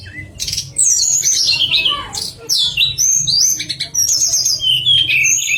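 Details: Pied fantail singing, sweet chattering song used as master material for contest birds: high sweeping whistles and rapid warbled phrases running almost without pause over a low rumbling background.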